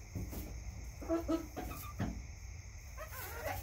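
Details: Backyard chickens giving short, stacked clucks in small bursts, a couple of quick notes around the one-second mark and more near the end, with constant background hum and hiss.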